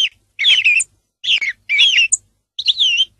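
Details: Song thrush delivering four similar fluty, slurred phrases in quick succession, each about half a second long, with a high squeak after the third.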